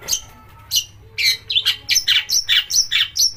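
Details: Long-tailed shrike singing as a lure for other shrikes; a few thin whistles lead into a fast run of harsh, chattering notes about four per second.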